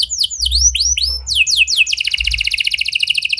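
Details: A canary in full song, offered as a lure to prompt a silent canary to answer. A string of sharp descending whistled sweeps gives way to a fast, even, high trill rolling steadily to the end.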